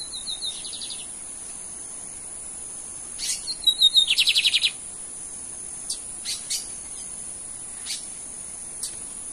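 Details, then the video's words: Brief phrases from a lined seedeater working toward its 'torneado' song: a short whistle and buzzy note run, then a faster burst of pulsed buzzy notes, then scattered clicks against a constant high-pitched hum. "BIGODINHO AL CAPONE QUASE FAZ A ENTREGA DO TORNEADO!"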